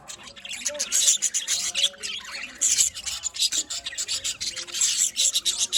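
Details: A small colony of budgerigars producing raspy, scratchy chatter and high squeaky chirps in rapid overlapping bursts, loudness pulsing unevenly across the clip.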